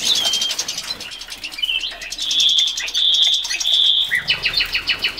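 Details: Captive male Common Rosefinch (Carpodacus erythrinus), caught in late summer, kept with a female House Finch and eating millet, gives clear, high whistled notes, three drawn-out tones in the middle, among quick chirps and soft fluttering or rustling; 4 January 2016.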